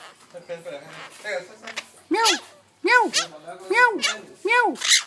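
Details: Talking Rose-ringed parakeet copying a cat: human speech at first, then a string of five evenly spaced arched meow-like calls, each about half a second long.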